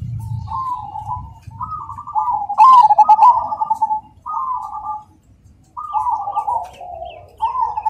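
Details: Cemani zebra dove giving its rhythmic, ringing song: several separate rippling coo phrases of about a second each, one louder pulsed burst, and short quiet gaps between them.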